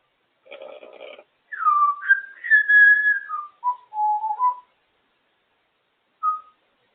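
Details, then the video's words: Female African grey parrot on top of her cage, enjoying making her noises: a brief raspy chatter, then clear whistled notes stepping downward in pitch, ending with one short whistle after a pause. "African grey parrot on top of her cage loving making her noises"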